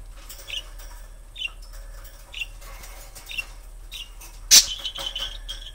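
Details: Pet budgerigar showing strong interest in a new budgie it has just met, giving regular short chirps about once a second, then a loud burst followed by a sustained bell-like ringing tone, possibly its bell imitation.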